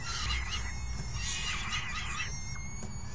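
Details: Young falcons calling raucously while a parent brings in a meal and feeds them: dense, overlapping, harsh screeching cries with high tonal streaks, continuous throughout, over a steady low background hum.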